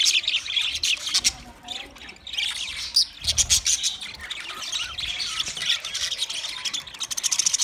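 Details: Steady chatter of twenty budgerigar pairs: overlapping high chirps, squawks and warbled trills, with brief louder bursts and a faint low thud near the middle.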